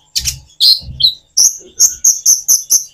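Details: Common iora singing with natural pauses to prompt hard-to-sing birds to respond. A few loud chirps give way to an evenly spaced run of sharp high notes, about two per second.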